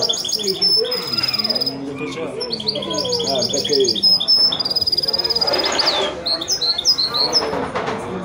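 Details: A goldfinch-canary mule, a hybrid of a male goldfinch and a female canary, sings a fast, bright twittering song of high repeated notes and quick trills, with a man's voice talking faintly underneath.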